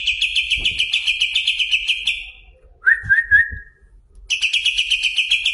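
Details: Greater green leafbird of competition class singing: rapid trains of bright chattering notes around a steady high pitch, broken by a lower warbled phrase midway before the fast chatter resumes.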